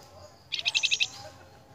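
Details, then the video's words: Flamboyan lure song for training cage birds: a single half-second burst of about six rapid, high, buzzy pulsed notes, then quiet. "PANCINGAN BURUNG FLAMBOYAN YANG GACOR"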